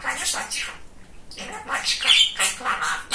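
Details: Pet male budgerigar, described as very chatty and funny, talking indoors: rapid raspy, speech-like chatter in short bursts with a brief pause near one second, squeaky high notes mixed in.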